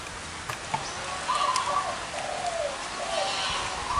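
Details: Several Zebra doves with large and small voices, gathered at one site, give soft, rolling coos in a short run of gently wavering notes, over a steady background hiss.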